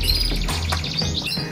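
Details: A local canary of competition type sings a cengkok-style song of quick, bright chirps and high twittering notes in the background while a man talks over it, reviewing the newly arrived bird.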